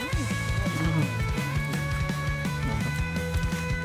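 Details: Loud guitar-driven music with strummed and plucked strings over a heavy, pulsing bass line, and no animal sounds.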